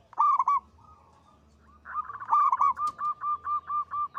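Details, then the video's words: Local zebra dove, praised as loud and melodious, gives a sharp double opening note, a quiet stretch, then a rising lead-in and a steady series of about ten rhythmic coo notes. "Perkutut lokal gacor suara besar panjang merdu"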